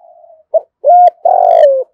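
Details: Spotted dove cooing to lure and provoke other doves. A faint trailing note is followed by a brief clipped note, then a steady mellow coo and a longer, slightly descending coo.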